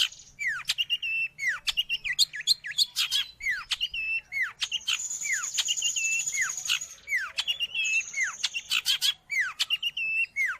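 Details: Long-tailed shrike, a recording meant for training caged birds or luring wild ones, sings a busy medley of downward-slurred whistles, sharp ticks and sustained high thin notes, nearly continuous throughout.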